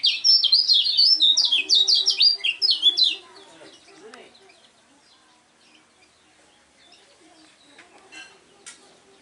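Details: Contest-bred lemon-bellied white-eye delivers a three-second volley of piercing, tumbling high notes rising and falling rapidly. Near silence follows, with only faint distant chirps and a couple of clicks.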